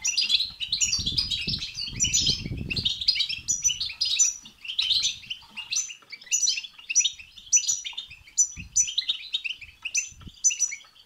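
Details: European goldfinch song packed with the 'betbeta' and 'setseta' phrases, meant to excite another goldfinch into singing: rapid, bright twittering with sharp repeated tinkling notes running nonstop, plus low thumping bursts like wing or cage movement early on.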